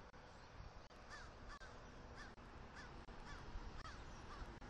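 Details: Wild eagle pair at their Southwest Florida nest on a morning in October 2023, mating on the nest's attic while bringing sticks. A series of faint, arched calls repeats at even intervals over heavy low wind rumble.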